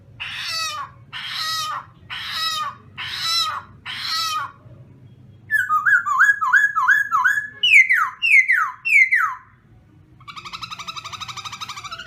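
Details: A black-throated laughingthrush in a cage sings in the morning to train its voice: five harsh buzzy bursts, then rapid stuttering whistles, three loud down-slurs and a fast, chattering trill.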